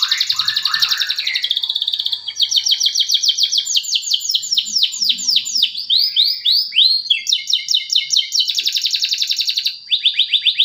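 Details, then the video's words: A male canary sings a long, unbroken song of high, fast rolling trills and chirps, switching between bright buzzy and clearer phrases every second or two; a lure song for canaries that have stopped singing. "Pancingan kenari macet bunyi"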